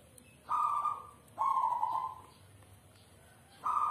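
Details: Caged zebra dove (perkutut), endemic to South Sumatra, singing in manggung style: long, level, mellow notes about a second each, separated by pauses, with a faint hum in the background.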